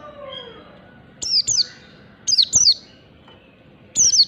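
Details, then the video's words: Oriental white-eye from the wild forest, played as a lure: high, thin descending chirps in quick pairs, repeated roughly every 1.3 seconds, with a soft lower falling whistle at the start. "pleci ngalas standar ^^ Oriental white eye bird | pancingan pleci ampuh"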